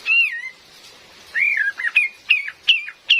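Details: Female Cream-vented bulbul, recording meant for luring: an opening wavering whistle, a slurred descending note, then four crisp chirps repeated roughly every third of a second, faint rain hiss behind.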